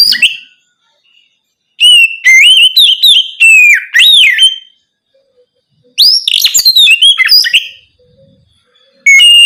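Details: Night song of an Oriental magpie-robin, played to coax other magpie-robins into answering: two bursts of loud, varied whistled phrases with swooping slurs and chirps, separated by quiet gaps of about a second.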